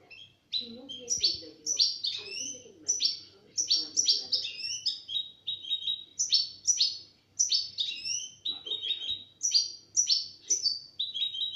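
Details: Singing after being taken from its box, a European goldfinch recorded in 2017 repeats short, sharp twittering phrases about every half second, in a steady, clipped rhythm. Quiet speech is heard near the start.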